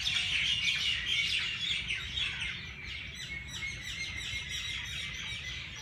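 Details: Birds chirping early in the morning at Race Course Jilani Park, Lahore: a dense chorus of overlapping high, quick tweets and short trills, several voices at once, steady and busy throughout, with faint low background rumble.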